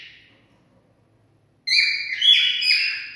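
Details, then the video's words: Singing cockatiel, sound meant to stimulate mating: a faint note fading out, a second of near silence, then loud clear whistled phrases that shift between higher and lower pitches. "Cocktail stimulating sounds for mating"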